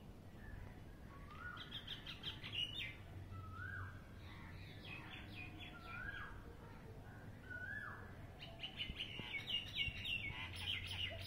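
A common myna gives a varied run of chattering notes, short whistles and rising slurred calls, with some clicks, over a steady low hum.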